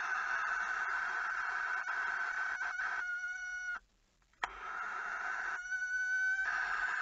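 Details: Barn owl at 05:25 on 18 August 2019 in Friesland, Netherlands, at a moment of danger: long, harsh hissing screeches run almost without pause, twice giving way to a purer, wavering tonal note, with one short silence between; the male later brings the night's fourth mouse.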